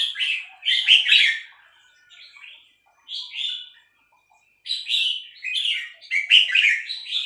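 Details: A female red-whiskered bulbul delivers three-syllable style song: lively gurgling chirps grouped into phrases, separated by silent gaps of about a second, the final phrases the loudest and busiest.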